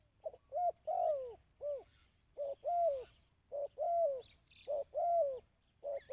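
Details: Dove calls made for decoy-bird training. Short low coos run into longer, falling coos in a quick, busy series with hardly any pause, and brief high chirps of another bird can be heard.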